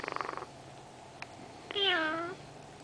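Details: Pet female Senegal parrot, three years old and known for talking too much, makes a quick stuttering series of pulses, then a drawn-out, wavering, falling, meow-like harmonic call in a quiet room.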